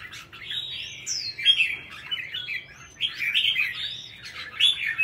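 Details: Red-whiskered bulbul, a kept songbird, delivering loud, rich warbled phrases with clear sweeping whistles, two main bursts separated by a short lull, each ending in bright slurred notes; little other sound.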